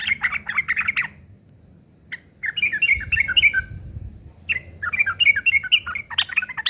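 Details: Yellow-vented bulbul fighting song used as a lure to draw answers: several bouts of rapid, bubbling, chirpy notes separated by short pauses, with a faint low rumble in the background.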